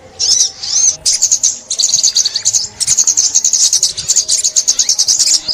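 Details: Sunbird singing, a 2021 trapping recording: a short twitter, then a long unbroken run of fast, sharp, high chirps that keeps a steady lively rhythm to the end.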